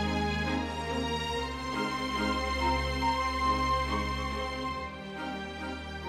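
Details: Steady instrumental music plays throughout, with sustained low tones and soft melodic notes and no animal calls.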